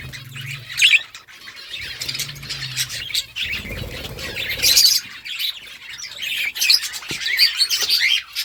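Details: Budgies, colourful parrots, chirping: a dense run of scratchy, warbling chirps and squawky notes from several birds, with louder bursts near one and five seconds and a brief low hum.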